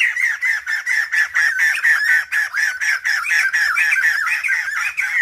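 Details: Female black-throated laughingthrush calling to provoke males into singing: a fast, steady run of harsh, squawky notes, about two per second, each a short downward-bending rasp, continuing without pause.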